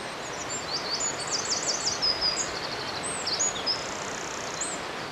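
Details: In woodland at Dare Valley Country Park, Wales, a small male Eurasian wren sings loudly to attract a mate, a rapid burst of very high, tumbling trills and sharp notes over steady wind or rustling noise.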